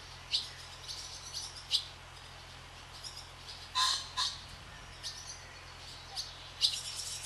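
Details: Over a swallow farm, barn swallows sweep the sky calling in sharp, high twittering chirps, several in quick succession, with a faint low drone beneath.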